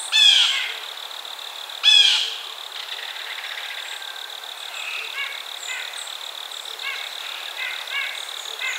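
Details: Blue jay giving two loud, harsh, buzzy calls about two seconds apart near the start, followed by fainter short repeated notes, over a steady high-pitched hum and a soft background hiss.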